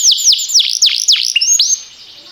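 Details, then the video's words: Brief canary song from a timbrado training recording: loud repeated down-and-up sweeping notes, a short high whistle, then fading quietly. "Cantar canário faz seu canário cantar"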